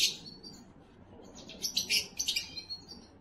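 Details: Canary song for stimulating and preparing females: a bright burst at the start, a quieter gap, then a lively run of rapid, rattling high chirps.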